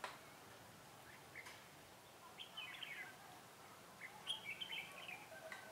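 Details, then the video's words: Red-whiskered bulbul singing as a decoy in a trap to lure rival birds, recorded 28 February 2018; faint, quick, warbled whistled phrases, one short burst near the middle and a livelier run later, over a steady low background hiss. "Bẫy chào mào"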